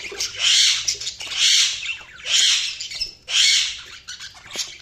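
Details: Budgies calling in four loud, harsh, rasping bursts about a second apart, each broad and scratchy, with softer twittering between them.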